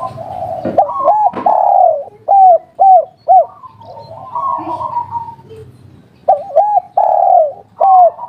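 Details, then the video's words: Local spotted dove, a kuk-3 type bird kept for song, giving low mellow coos: a short double note, a long drawn coo, then three clipped arched coos, repeated twice with fainter coo-like sounds in between. "Derkuku kuk3 lokal gacor ngamuk suara empuk"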